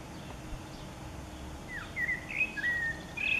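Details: Spring blackbird song, 29 April 2019: near-silence at first, then a soft descending whistle leading into a series of clear, fluted notes in the last second and a half.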